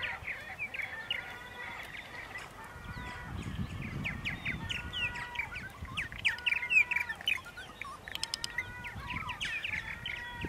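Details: Purple martin colony sounds on Long Island at Center Moriches, New York, 8:30 AM, 14 April 2012: repeated liquid, buzzy chirps and croaking notes from several birds, with faint low rumbling in the background.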